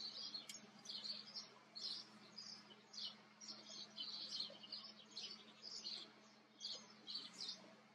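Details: Common kestrels in the Eifel, Germany: thin, high, chirping calls repeated in quick overlapping bursts, two or three a second, over a faint low hum.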